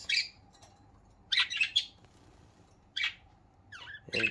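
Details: Pet budgerigars kept indoors, said to make happy sounds during their morning routine; short bright chirping and squawky bursts in separate clusters, some rapid and warbled, with quiet room hiss between them.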